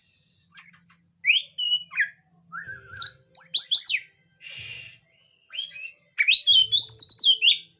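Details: Magpie-robin song for calling a stressed bird: a mix of clear whistles, rising slurs and rapid scratchy note bursts, delivered in uneven phrases.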